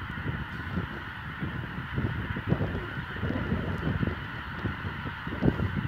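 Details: A large flock of greater white-fronted geese at Bertesti de Sus, SE Romania, on 05/12/2017 calls together in a dense, continuous babble of overlapping yelping honks.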